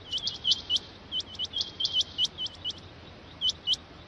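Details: A rain quail repeats short, whip-like rising notes, mostly in pairs, in a busy run that thins out toward the end, over continuous background hiss.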